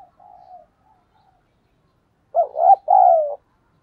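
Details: Spotted dove cooing as a decoy to draw in wild birds: a faint, distant low coo and soft notes, then a loud close two-part phrase of a wavering coo followed by a drawn-out descending coo.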